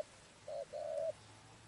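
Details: Spotted dove heard during trapping, a single brief phrase of a short coo followed by a longer mellow coo, against a quiet background.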